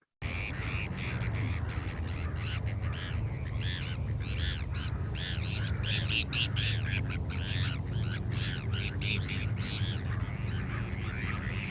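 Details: A feeding frenzy of Bonaparte's gulls in winter plumage at Lake Perris, southern California, the week before Christmas, a tight flock diving for small fish; harsh, raspy, tern-like notes overlap almost without pause over a steady low rumble.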